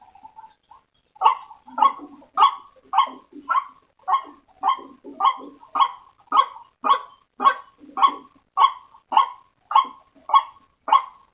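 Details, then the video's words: White-breasted waterhen call used as a lure to attract waterhens: after a soft opening note, about twenty loud, harsh croaks follow in a very regular rhythm, nearly two per second, on a quiet background. "Suara Pikat Ruak Ruak Paling Ampuh|auto ngumpul"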